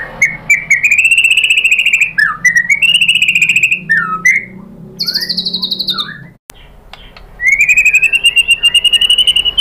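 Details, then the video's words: White-rumped shama (murai batu) lure song, played to make other shamas sing. Loud, fast buzzy trills at a steady high pitch, broken by short slurred whistled notes, with a brief pause before the trill resumes. "Suara MURAI BATU jadi EMOSI GACOR BONGKAR ISIAN | PANCINGAN MURAI ¦ SHAMA BIRD"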